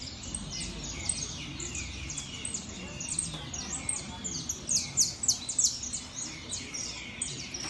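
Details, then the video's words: Saffron finch singing at a competition show: rapid, high, sharp chirps and twittered notes in uneven bursts, growing louder mid-clip, over a low murmur of people talking. "canario da terra Top Show"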